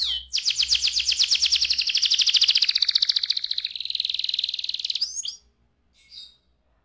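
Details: Young canary performing a sustained buzzy rolling trill lasting about five seconds, followed by a couple of brief chirps.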